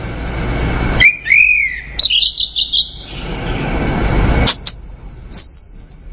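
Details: Singing orange-headed thrush: a swooping whistle followed by a fast, slightly buzzy trilled run, then scattered short high notes over low rumbling background noise.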